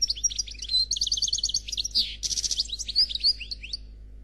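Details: European goldfinch singing a flawless Khalwi-style song, a bird described as black. A rapid, continuous twitter of high, sharp notes with liquid trills and two short buzzy bursts midway. The background is quiet.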